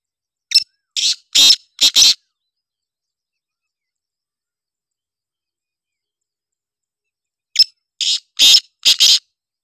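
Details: Female black francolin calling: a harsh, grating series of four to five rasping notes, then about five seconds of silence before a second similar burst of rasping notes.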